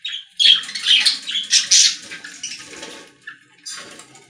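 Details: Several pet-store budgerigars chatter together in a dense, continuous stream of high buzzy warbles and squeaky whistles, with fainter low rustling and clatter underneath.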